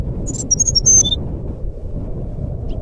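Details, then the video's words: A single short phrase from a brown-chested jungle flycatcher's fluting song, a lure for birds that stay silent: high clear whistles rise and fall quickly, ending on a lower note, then only low background rumble. "suara burung sikatan rimba nyuling pancingan SRDC macet bunyi"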